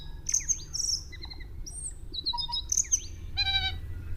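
Tui song: a quick run of high whistles, sliding notes and clicks, ending in a nasal, ringing chatter, over a low background rumble.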